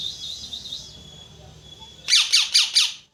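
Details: A parrot holds a steady high whistled tone, then bursts into four loud, harsh squawks in quick succession.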